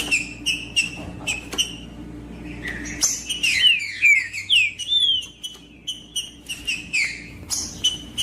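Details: Green-winged saltator singing, meant to warm up a silent saltator: evenly spaced short whistles give way to a rich run of sliding, descending whistled phrases, then more short notes, over clicks and a low hum.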